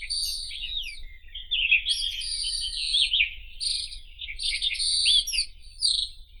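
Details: Unbroken, rich warbling of a white-throated robin, mixing sharp chirps, high whistles and scratchy trills at a lively pace, with a constant low hum beneath.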